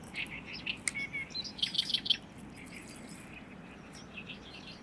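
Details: Small but powerful Great reed warbler in a Lake Biwa reed bed in May, Japan, giving a burst of rapid, grating, repeated chirps over a quiet background hiss.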